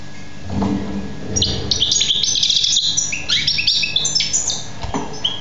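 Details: Young European goldfinch singing, 2014: a dense run of bright, fast twittering notes and short buzzy trills high in pitch lasting about four seconds, with a few low thumps at the start and a steady background hum.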